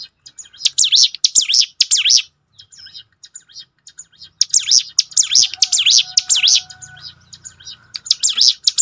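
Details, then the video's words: Bar-winged prinia song used as a training lure to make caged birds sing more often: bursts of sharp, buzzy, up-and-down chirps repeated about twice a second, with a short pause midway and a faint low hum. "ciblek gunung mana yang gak tergoda ikut berbunyi"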